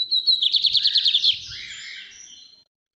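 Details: Bigodinho, the lined seedeater, in its northeast song type from Brazil: a fast pulsing trill of about a dozen high notes, then a softer buzzy tail sliding downward before fading out.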